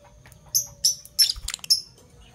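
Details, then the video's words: Two Fischer's lovebirds, a parblue violet and a parblue turquoise, in the morning: a handful of sharp, very high chirps in short bursts with gaps of near silence between them. "Lovebird Chirping Sounds - Parblue Violet Fischer & Parblue Torquoise Fischer"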